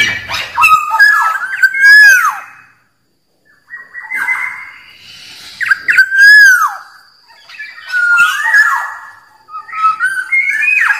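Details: Black-naped oriole (kepodang) repeating rich, fluty whistled phrases about every four seconds, each climbing, then falling in a drawn-out slur, with brief gaps between.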